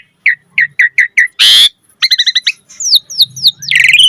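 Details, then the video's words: Asian pied starling in an energetic lure song: five quick clipped notes, a harsh raspy burst, a rapid stuttering run, then several falling whistled slurs and a dense chattering finish. "Pancingan Jalak Suren Gacor Mompa Variasi Suara Burung Kicau Cepat NYAUT Gacor Full Isian Mewah"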